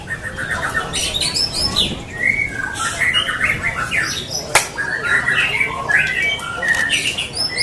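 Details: A white-rumped shama at a Lampung singing competition gives varied whistled phrases, some drawn out and level, others quick and warbling. A sharp click comes midway, and other birds chatter faintly in the background.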